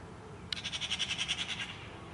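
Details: A short, dry rattle from a Eurasian magpie: about a dozen harsh, grating notes in quick succession over little more than a second, starting abruptly, with a faint low hum in the background.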